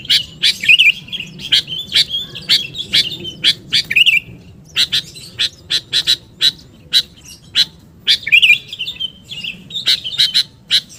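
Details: Sooty-headed bulbul (kutilang) luring call, very active: a rapid run of crisp, high chirps, some doubled, broken by short gurgling warbles, continuing steadily for about eleven seconds.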